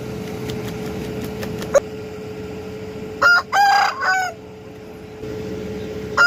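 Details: Aseel rooster crowing once, a brief harmonic crow lasting about a second over a steady background hum.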